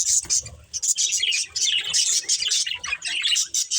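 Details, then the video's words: Pair of breeding budgerigars chattering: fast, high, slightly buzzy chirps and warbled phrases pour out almost continuously, with faint low knocks behind. "Cute Budgies Chirping Sounds"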